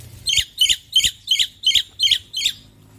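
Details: Male black-winged myna singing loudly: seven harsh, squawky notes delivered in an evenly spaced series, roughly three per second, with faint low background hum.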